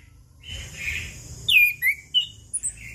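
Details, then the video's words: Chestnut-capped thrush singing, played as a lure for birds that have stopped singing: a soft blurred warble, then loud slurred whistles falling in pitch, followed by short high notes. "Anis Kembang Ngeplong Pagi Siang Sore - PAncingan Burung Anis Kembang Macet Bunyi"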